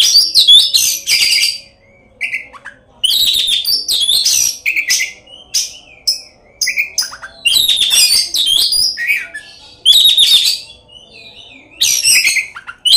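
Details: Oriental magpie-robin, a tail-spreading singer with a full repertoire of mimicked fill-ins, singing to provoke rivals: long loud bouts of scratchy, buzzy warbles and sharp notes, separated by soft whistled phrases and short gaps.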